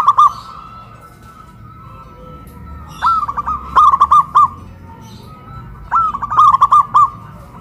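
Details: Two local zebra doves, one with a big voice and one with a crystal voice, cooing loudly from a raised pole in Kuningan, West Java. Two rolling phrases of rapid, evenly spaced coo notes are separated by a quiet gap.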